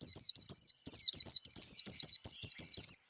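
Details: Japanese white-eye 'líu đấu' song for voice training of young birds: loud, high warbling slurs strung in quick succession with one short break near the start.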